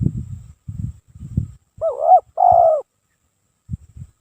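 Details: Spotted dove, a lure bird, singing nonstop: two loud, rolling coos with a throaty rise then a falling drawn-out note, in the middle of the stretch, framed by low dull thumps and knocks.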